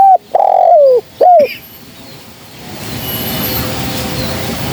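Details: Spotted dove, female, calling as a trapping lure. One quick phrase opens the recording: a hooked note, a long falling coo and another hooked note, then fading into broadband hiss.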